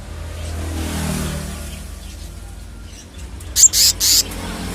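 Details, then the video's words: Selendang biru (kehicap ngombyok) calling after a stretch of low rumbling: three loud, grating rasps in quick succession, the first shortest. "Selendang biru/kehicap ngombyok kemarin sudah bunyi"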